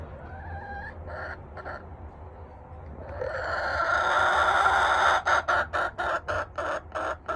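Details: Buff Orpington hen on a small farm gives a few soft rising notes, then a long loud squawk, then quick sharp clucks about four a second, followed by human laughter.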